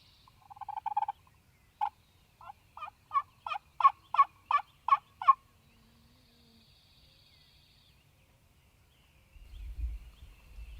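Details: Male Wild Turkey, Mississippi farm, spring morning: a brief rattle, then about ten strong pulsed notes in quick, steady succession, followed by quiet and a low thump near the end.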